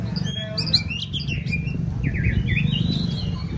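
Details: White-rumped shama in contest training, fourth season: a short whistled, wavering phrase, partly masked by a loud low hum.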